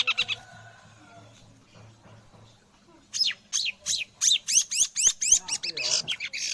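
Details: Mimicry of white-rumped shama by a long-tailed shrike: a quiet opening with soft notes, then loud rapid downslurred whistled notes repeated about four per second, bright and piercing, over a low background hum.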